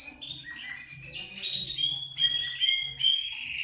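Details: Canary song meant to prompt other canaries to sing: stepped whistled phrases shifting between tones, with short trills and some low background murmur.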